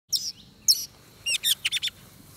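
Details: Oriental magpie-robin recorded during bird trapping, singing in fighting-song style: two loud high chirps with falling tails, then a quick run of four sharp clipped notes, over faint low background hum.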